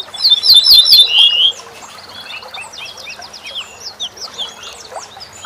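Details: Corn bunting song played for tutoring caged songbirds: a loud jangling phrase of quick repeated high notes slurring into a buzzy rattle, lasting about a second and a half, followed by softer chirping and twittering from other small birds.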